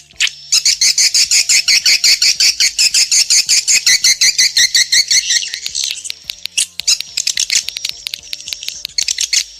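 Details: Swiftlet calling sound used by Indonesian swiftlet farmers to attract birds to nesting houses: rapid, evenly spaced high chirps, nearly three per second, forming a continuous twittering chatter that loosens into scattered clicks toward the end.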